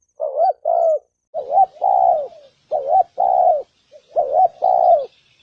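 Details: Spotted dove cooing, used to provoke males and females to coo and fight: three pairs of phrases, each a short wavering note followed by a longer, steady, hollow coo, repeated with brief pauses. The background is quiet.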